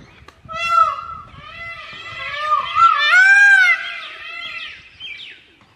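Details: A peacock at a farmhouse gives a loud, nasal, wailing call lasting about four seconds, wavering and rising to a brief peak before fading. Faint low thumps are heard at the start.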